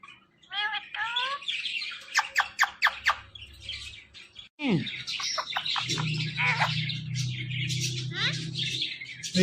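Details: Talking pet ring-necked parrot giving quick downslurred whistles, then a run of sharp clicking squawks and a long harsh chattering stretch over a low background hum.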